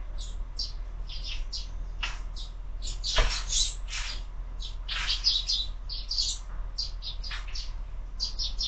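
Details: Sparrows feeding at a window feeder in the morning, scattered sharp chirps from several birds, one loud click near the middle, low hum beneath.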